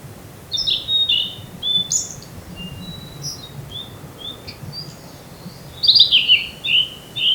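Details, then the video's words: Territorial blue-and-white flycatcher, one of two rivals in a spring field it visits yearly, sings clear high whistled phrases separated by short pauses, ending in a loud tumbling burst of sweet warbled notes. Recorded close up on a camera microphone. "オオルリ 鳴き声"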